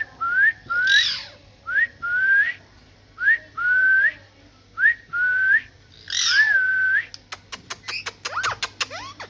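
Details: Pet parrot vocalizing: a series of short whistled notes, each rising then held, in pairs roughly every second, with harsh broadband squawks at one and six seconds, then rapid clicking taps at the end.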